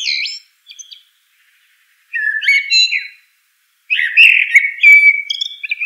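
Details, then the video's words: Eurasian blackbird delivering fluty, melodious phrases: a high squeaky flourish, then two longer warbling strophes of low whistles finished with thin twittering notes; otherwise silent. "Eurasian Blackbird Call Song Sound"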